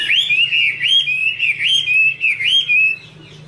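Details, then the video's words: Chinese hwamei female in 'te' style, a male singing behind her: a series of loud, looping whistled phrases, each rising then dipping, repeated about once per half second before fading to quiet. "Chim hoạ mi: Mái te đỉnh cao của năm _ có chim trống làm nền"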